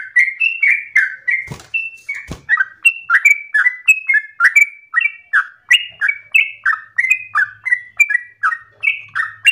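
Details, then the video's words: Yellow-vented bulbul in forceful, long-breathed song for other birds to learn; continuous series of whistled down-slurred notes near three per second, with two sharp clicks early on and a faint low hum later. "Trucukan gacor ropel ngotot nafas panjang ini cengkok paling gampang ditiru trucuk bahan"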